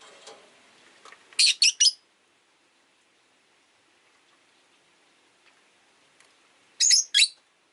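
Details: Rosy-faced lovebirds, five caged indoors, vying for a perch position; a quick triple chirp, a long pause, then a sharp double chirp, with faint rain and street noise early on.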